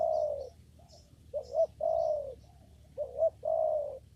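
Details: Spotted dove calling in a papaya garden where trapping with a lure is under way: mellow low coos in three phrases, each a brief rising note followed by a drawn-out, slightly falling coo.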